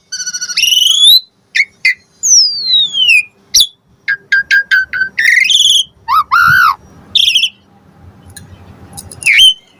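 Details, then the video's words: Asian pied starling song played as a lure so other starlings respond: bright rising and falling whistles, a long sliding downward note, scattered chips, and a couple of lower, hoarse squawks amid brief pauses. "Suara Jalak Suren Pancingan AMPUH Full Isian Variasi Agar Burung Jalak Auto NYAUT Cepat Gacor Isian"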